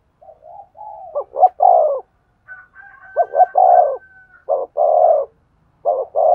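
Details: Spotted dove cooing to excite a male: soft lead-in notes build into repeated phrases of a quick double note and a drawn-out throaty coo, with a faint high crowing call briefly in the background.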